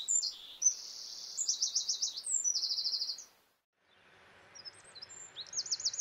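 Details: A Eurasian wren (Troglodytes troglodytes) in Córdoba, Spain, gives loud, very high, rapid trills and sharp twittering notes, breaking off briefly and resuming over a soft steady background hiss.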